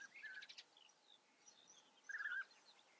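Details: European bee-eater in the Eifel, Germany, giving two short, rolling, liquid 'prruip' calls about two seconds apart, with faint high chirps of other birds behind.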